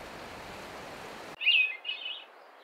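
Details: A Hermit Thrush, a bird of mountain conifer forests, gives one ethereal phrase: a pure held whistle, then a higher, fluty, echoing flourish, preceded by a second of rushing, waterfall-like noise.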